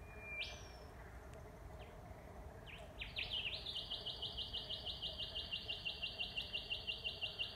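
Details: Rufous Whistler in Paringa Paddock National Park, South Australia, recorded on an iPhone near a wetland. A single whip-like rising note, then a fast run of bright, ringing notes repeated about three times a second over faint background hum.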